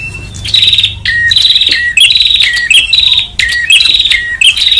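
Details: Noisy prinia from Indonesia sounding a rapid series of high buzzy trills, each often led by a short lower note, coming in quick succession about once per second, with faint chirps underneath.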